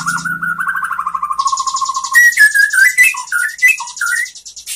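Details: White-rumped shama song used as a training recording to teach other shamas in Indonesia: a slurred whistled phrase and a steady low hum give way to a quick string of varied short whistled notes over hissing high noise.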